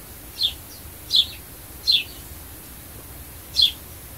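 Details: Sparrow calling, used to attract birds: four short, sharp chirps dropping from high to slightly lower pitch, spaced irregularly about every second, over a quiet background.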